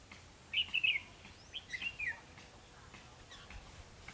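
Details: Red-whiskered bulbul trapping session, 21 December 2015, bird giving a fighting song; two short chirpy warbled phrases within a second of each other, then quiet, with a short spoken word after.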